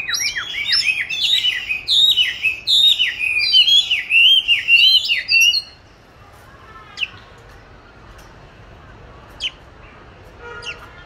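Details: Oriental magpie-robin kept in a cage since July 2020, recorded in March 2021 while placed in a good spot to practise singing; about five seconds of loud, rapid looping whistles and chirps, then near silence with a few faint clicks.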